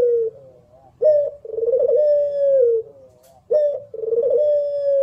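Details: Barbary dove (local puter pelung), a competition-style singer recorded clearly: a short coo, then a long, steady, slightly rolling coo that falls at the end, repeated twice with brief pauses and a faint low hum underneath.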